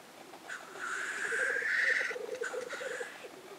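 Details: Black grouse lekking at Innvik in 2014, with a loud drawn-out hissing whoosh of about two seconds over low bubbling, rolling cooing that continues beneath and after it.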